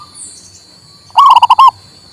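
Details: Local male zebra dove, a recording meant to stir a silent bird into singing: one short phrase of about five rolling, mellow coo notes, slightly rising then dipping, over a steady faint high-pitched whine.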